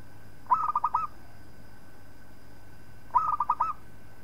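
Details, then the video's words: Zebra dove (local perkutut) song meant for tutoring other birds: two rolling coo phrases of five or six rapid pulsed notes, about two and a half seconds apart, with faint steady hum behind. "Suara Perkutut Lokal Palng Zos Untuk Masteran"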